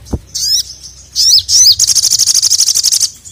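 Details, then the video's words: Crimson sunbird (sogon) calling to a male, meant to provoke a quiet bird into singing. Thin, wavering high whistled notes are followed by a rapid, even trill of about twenty ticking pulses lasting over a second. "SOGON GACOR MEMANGGIL JANTAN"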